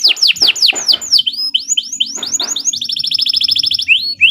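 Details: Canary song used as a master recording for training other birds: repeated downslurred sweeping whistles, a short buzzy rapid trill, then more rising slurred notes, high and piercing.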